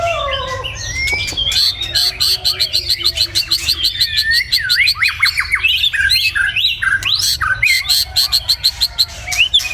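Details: Morning song of a white-rumped shama: dense, fast sequence of high whistled slurs, rising and falling sweeps and sharp clicks, building into rapid trills toward the end.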